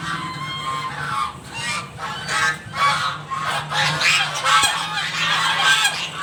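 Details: A flock of domestic geese honking loudly for their breakfast at a home; overlapping harsh, nasal honks in bursts, many birds calling at once with a steady low hum beneath.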